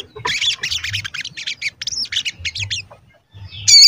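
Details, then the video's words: Crimson sunbird (sogon), played as a lure to make wild or kept sogon sing: a fast series of scratchy, high-pitched twittering notes, a brief pause, then a loud squeaky wavering phrase. "Pancingan Sogon Agar Bunyi dan Emosi"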